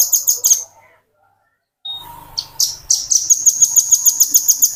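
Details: Velvet-fronted nuthatch in continuous ngebren singing, used as a tutor recording for training birds. A short burst of shrill rapid notes fades into silence. A soft low hum and scattered chips follow, then the bird builds into a steady, very high, evenly repeated trill.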